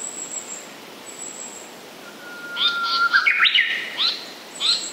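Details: Singing Japanese paradise flycatcher: a thin steady whistle leads into a rapid cluster of chirpy, slurred notes, then a few separate rising calls, with a constant high-pitched insect drone behind.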